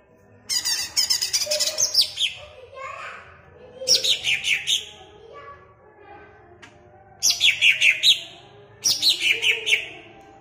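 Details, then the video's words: Caged greater green leafbird at Jatirejo, Ampelgading, Pemalang, its song used to rouse other leafbirds: four rapid bursts of high, sharp chirps, each a tumbling run of descending notes about one to two seconds long, with short pauses between. "BUAT CUCAK IJO MU CEPAT EMOSI DENGAN PLAY VIDEO INI"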